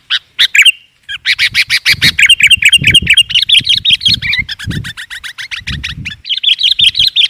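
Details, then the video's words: Sooty-headed bulbul calling loudly as a bird-luring sound: dense bursts of rapid, scratchy chirps and chattering notes with short slurred whistles, nearly continuous for seven seconds, with some low thumping sounds underneath. "SUARA BURUNG KUTILANG GACOR AMPUH UNTUK PEMIKAT"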